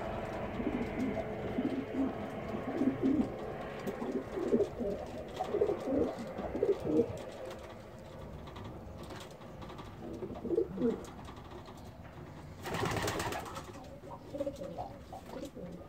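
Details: Racing pigeons of a flight team before their first marathon race (941 km) coo in soft, low, throaty bursts, with a brief flurry of wingbeats near the end.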